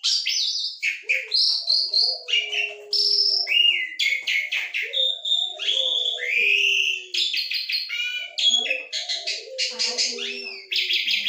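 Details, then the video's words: Asian pied starling singing busily with many different sounds, an unbroken medley of sharp whistles, rising slurs, rattling trills and buzzy notes, with soft low gurgles underneath. "JALAK SUREN GACOR, CEREWET ANEKA SUARA"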